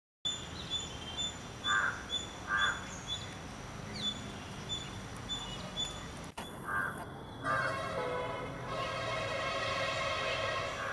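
Rose-ringed parakeets give short, harsh squawks, mostly in pairs a second apart, over a steady high whine and rising background noise.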